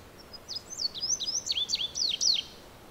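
Indigo bunting song: a quick run of high, sharp slurred notes, several in pairs, sweeping down and up over about two seconds, with a faint background hiss.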